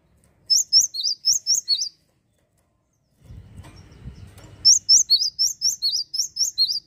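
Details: Actively singing Java sparrow, used to provoke rival birds: quick high chirps with upswept, hooked notes, a run of six, a pause with a low rumbling noise, then about nine more in steady succession.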